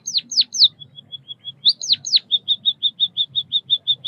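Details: White-headed munia chirping: a few loud downward-slurred notes, then a steady string of short, even, high pips repeated about five times a second.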